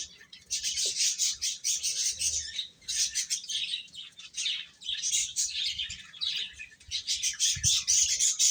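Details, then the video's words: Many little chicks eating together, their sharp, high chirps pouring out almost without pause in waves of overlapping peeps, a few dull taps from pecking in the background. "Cute Chicks Chirping Sounds | Little Baby Chicken Eating"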